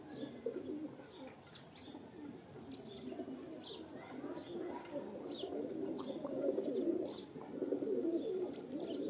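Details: Soft, low cooing of pigeons calling to mate grows louder toward the end, while small birds chirp rapidly and repeatedly at higher pitch.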